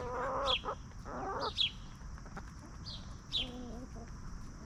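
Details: Free-range hens roaming the yard, scratching in the dirt and snacking on treats; short harmonic clucks in a loose burst near the start and again later, with sharp high wild-bird chirps about once a second and steady background hiss.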